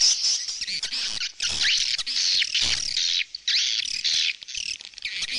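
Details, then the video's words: Swallows giving harsh, squeaky, rising and falling calls in loud bursts, with short gaps between them. "เสียงนกนางแอ่น Swallow Sound"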